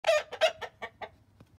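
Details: A rooster that seems to think he is a hen cackles: about six harsh, nasal clucks in quick succession, the first two loudest, then fading away over just over a second.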